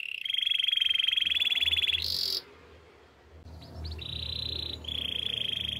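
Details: Canary singing for training: a sustained, very rapid buzzy trill held on one pitch for two seconds, a sharp higher burst, a short pause, then more level rolling trills at slightly different pitches.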